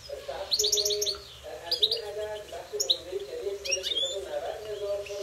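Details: In a goldfinch singing fight, a fast series of liquid twittering notes opens the phrase, then scattered sharp chirps and a rising slurred note follow, all above a low droning background tone.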